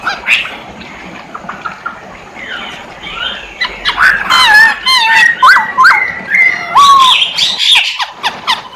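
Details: Masked laughingthrush, poksay hongkong, singing energetically: a dense tangle of chattering notes and short rising whistles, building in loudness, with a clear falling whistle near the end.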